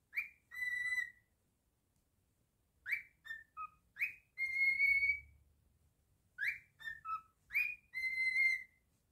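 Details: Captive cockatiel whistling its song: three phrases of rising slurs followed by a long steady whistle, separated by pauses of about two seconds, in a quiet room.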